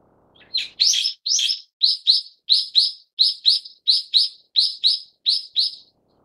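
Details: Brown-eared bulbul, subspecies harterti, calling loudly: a few drawn-out harsh screeches followed by six regular pairs of piercing, slightly downslurred notes, with a clean, quiet background.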